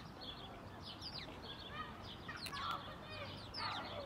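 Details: A common moorhen (Gallinula chloropus) in Tivoli landscape park, Ljubljana, on 19 April 2024, gives two short, harsh clucking calls in quick succession against busy chirping songbirds and a low hum.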